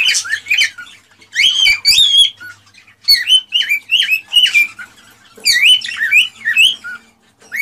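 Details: Cockatiel song used to stimulate mating: clear, bending whistled notes and harmonic squawks in groups of two to four, each phrase rising then dropping, separated by short pauses, loud and close.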